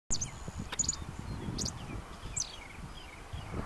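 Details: Botteri's sparrow calling at Palo Alto Battlefield National Historical Park, Cameron County, Texas, 4 May 2014: a few very high, thin chips and short descending notes, spaced irregularly, over a steady low rumble of wind.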